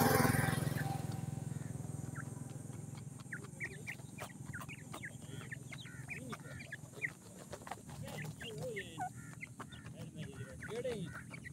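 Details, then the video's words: Punjab grey francolin chicks give quick, thin cheeping notes, scattered and overlapping, after a brief loud noise at the start, over a constant low background drone. "grey francolin chicks"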